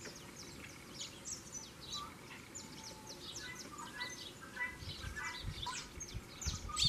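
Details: Agitated saffron finch at the onset of breeding season: irregular bursts of sharp high chirps and short slurred whistles, with some dull thumps near the end.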